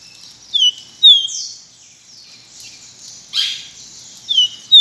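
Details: Pileated finch song: thin, high whistled notes, each sliding down, given at irregular intervals over a quiet background with a soft noisy burst in the middle.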